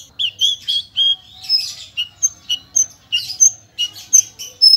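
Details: Javan bush lark of the parva form, clear-voiced song rich in varied fill-in notes: a steady run of short whistled notes and slurs at shifting pitches, roughly three per second, with some harsher chattering elements.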